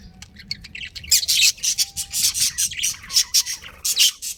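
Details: Chirping from budgerigars, a breeding pair within a colony: rapid, scratchy, rasping chirps in quick pulses, building after a quieter start into dense high chatter.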